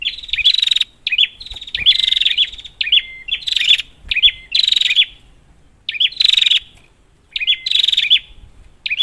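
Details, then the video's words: Prinia call meant to stir quiet prinias into song, heard as loud bursts of quick buzzy pulses with looping tails, sometimes preceded by a brief flat whistle, repeated every second or two. "Prenjak, Pancingan ampuh untuk burung prenjak macet"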